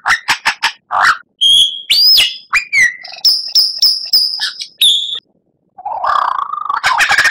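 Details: White-rumped shama master song for training captive birds, full of varied phrases: sharp chips, bright whistled slurs and a run of high piping notes, a short pause, then a lower harsh scratchy phrase.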